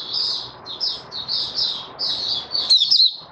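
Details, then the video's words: White-eye opening its song on 08012022: soft, smeared high trills in short phrases, ending in sharper slurred chirps, with a low hum in the background. "Mata Puteh Raja Stablizing his form buka sing"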